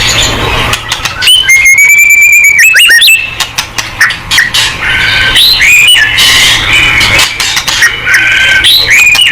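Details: White-rumped shama (murai batu) in full gacor song, used to prompt other shamas to answer: loud, varied whistled phrases, a sustained rising whistle with rapid trills, then choppy bursts of sharp, buzzy and piping notes around it.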